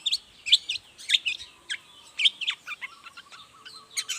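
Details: Long-tailed shrike singing in the morning as a lure for other shrikes: sharp whistled chips and short descending notes at irregular intervals, with faint thin tones behind them.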